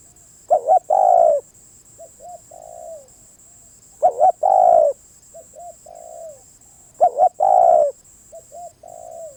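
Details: Spotted dove song repeated three times about every three seconds. Each phrase is a quick double note and a long coo, followed by soft short notes and a quieter trailing coo. A faint high whine sounds throughout.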